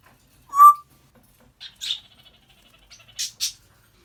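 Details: An African grey parrot, a pet chatting at home, gives one loud clear whistle, then after a pause a few short scratchy chirps and a pair of hoarse squeaks.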